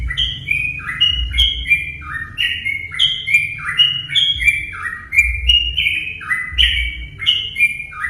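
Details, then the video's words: Sooty-headed bulbul lure song to prompt other bulbuls to sing: continuous rippling whistles in short descending steps, phrases tumbling one into the next, with a low-pitched rumble throughout. "pancingan burung trucuk"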